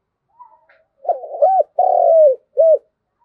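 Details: Spotted dove calling the flock: a faint soft opening note, then low hollow cooing phrases, a rolling coo, a long drawn-out falling coo and a short final coo, in quiet surroundings.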